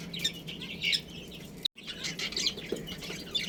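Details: Budgerigars in a colony with a breeding pair give scattered high, scratchy chirps and short warbles, fairly soft, with a brief silent break midway and a low hum underneath.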